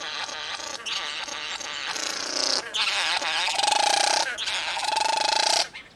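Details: Satin bowerbird calls from a wide repertoire of churring and buzzing phrases; dense harsh grating and buzzing bursts lasting about a second each, with a steady mid-pitched tonal hum in the later phrases, then silence.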